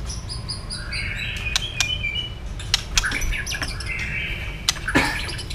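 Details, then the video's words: A white-rumped shama, wagging its tail repeatedly and stirred into fast competitive song, gives a varied run of clear whistles and sharp clicking notes over a low room hum. "chòe lửa đập đuôi liên tục kích thích lửa hót đấu nhanh căng"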